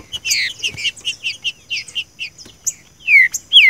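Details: Green-winged saltator singing the song style called seu chico, used to train a captive bird: a run of rapid short chirping notes, then two loud clear whistles sliding downward near the end, with faint high chirps behind.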